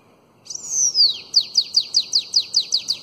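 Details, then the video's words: Sibite, or bananaquit, giving the elongated Belga song used to tutor young birds: a long, high, arching whistle that slides downward, then a brisk train of repeated high down-slurred notes. "SIBITE CANTO BELGA ALONGADO Para ENCARTE De FILHOTES de CAMBACICA"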